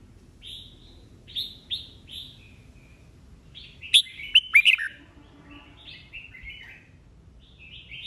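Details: Mature wild-caught red-whiskered bulbul singing competitively in the bọng style. Several warbled whistles lead into a loud volley of four crisp, ringing notes, then quieter phrases.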